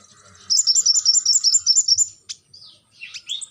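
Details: Brown-throated sunbird in lively song, a fast stream of thin, high warbled notes lasting about two seconds, followed by a few scattered squeaky chirps.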